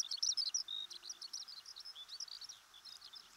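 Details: Eurasian Skylark, one of Japan's wild birds of farmland, grassland and waterside, gives a rapid, unbroken stream of high, varied chirps and trills, several notes each second, over faint background noise.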